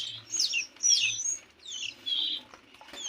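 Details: Canary chicks fifteen days old begging, giving high, thin, squeaky notes that sweep down in pitch, in two short clusters, with a faint low hum underneath.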